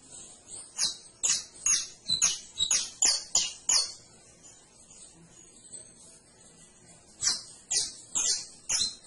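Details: Canary singing a burst of about ten sharp, high chirped notes, each sliding downward, roughly four per second, then a pause and a second short run of four notes; quiet background.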